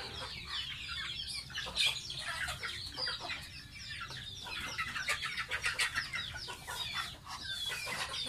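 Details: Domestic goose baby in its bath, peeping constantly in high, falling notes packed closely together, mixed with watery splashing bursts.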